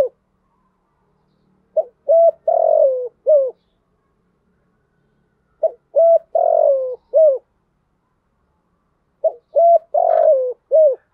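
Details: Spotted dove decoy song, thổ thúc gù gáy used to lure wild doves: three repeated four-note phrases roughly every four seconds, pip, level coo, long wavering falling coo and a short end note, otherwise silent.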